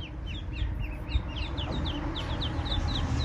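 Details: Eastern spot-billed duck ducklings with their mother, lost in a place far from any pond or river; bright, short, falling peeps repeat irregularly from several chicks against a constant low hum.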